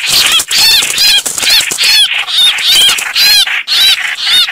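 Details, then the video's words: Trap-luring recording of a chao chảo bird: loud, dense, scratchy chattering in quick bursts, each bearing curved, whistled harmonics, coming roughly twice a second almost without pause. "Tiếng Chim chao chảo/rất nhạy bẫy chim"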